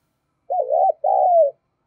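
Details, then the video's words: Cooing from a decoy spotted dove meant to provoke and attract others: a single phrase with a rolling, wavering first note and a longer smooth coo that slowly falls in pitch. "Chim Cu Mồi/ cu gáy thúc gù dùng kích bổi hiệu quả"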